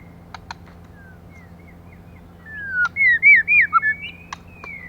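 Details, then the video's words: Female white-rumped shama, kept to stimulate males, gives a quick run of looping clear whistles after a long downslurred note, ending in a long level whistle, over faint clicks and a low background hum. "CHOÈ LỬA MÁI.choè lửa mái kích trống.lửa mái.lửa mái mồi"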